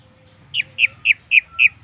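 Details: Orange-headed thrush lure song meant to set other birds singing: five similar clear whistled notes, each dipping slightly, repeated at an even, unhurried pace.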